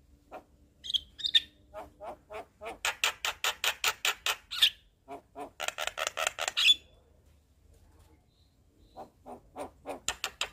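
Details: Javan myna (jalak kebo) vocalising as a tutor and lure for young, untrained mynas. Long runs of harsh, rapid, buzzy chattering pulses with occasional sharp whistled notes, broken by a short quiet spell.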